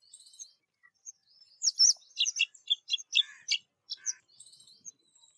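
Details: Spring calling of a black drongo: a rapid run of loud, harsh, ringing chirps in the middle, framed by softer high twitters and brief whistles.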